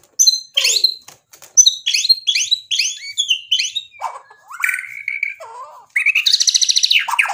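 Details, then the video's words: Loud white-rumped shama song rich in imitated phrases, used to make other birds respond: quick paired high chirps, drawn-out whistles and low slurred notes, closing with a harsh rapid rattling buzz. "MURAI BATU GACOR bikin EMOSI jadi NYAUT BUNYI BONGKAR MATERI ISIAN | murai full isian"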